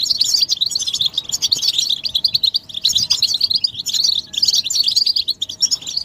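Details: Collective chattering of goldfinches, calls of mating and readiness aimed at bringing males out of silence; lively high chirps and twitters crowd together, broken by a couple of brief pauses.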